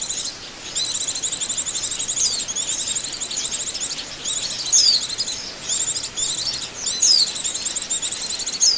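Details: Trapping-lure sound of Oriental white-eyes: an unbroken stream of thin, rapid, trilling twitters from several birds, punctuated by a few sharp slurred-down whistles, over faint background hiss.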